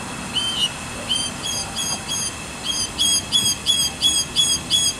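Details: Mockingbird heard from a cabin, singing alongside a drumming woodpecker: high, ringing, harmonic notes delivered in a quick repeated series of about three per second, growing louder toward the end.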